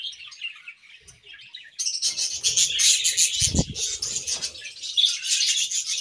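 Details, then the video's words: In an aviary on a morning, a budgerigar pair warbles softly at first, then breaks into loud, dense, high chirping chatter that continues to the end, with a low thump midway. "A Beautiful Morning with Budgie Pair | Serenade in the Awesome Aviary"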